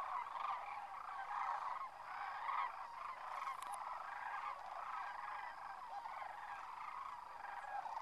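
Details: Thousands of Sandhill Cranes lift off at Whitewater Draw near McNeal, Arizona, their winter home. A dense chorus of rolling, bugling calls from the large flock overlaps continuously over a steady background din.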